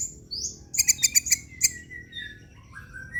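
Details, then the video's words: Long-tailed shrike lure: a quick upward whistle, then a rapid string of about six harsh, clipped notes, followed by soft wavering whistles that fade away. "PANCINGAN CENDET TERBAIK, SEMUA JENIS CENDET PASTI NYAUT BUNYI DIBUATNYA"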